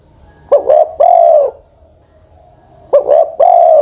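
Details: Decoy spotted dove, ten-plus years old, calls twice: quick doubled coos followed by a long, smooth, slightly falling coo, the second phrase cut off at the end.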